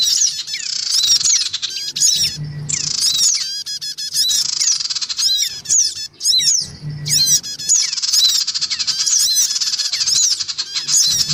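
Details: Lure sound of black-winged cuckooshrikes, adults and young, meant to pull in small wild birds: harsh grating squawks and quick chirps in repeated looping blocks about every two to four seconds, with a faint low hum.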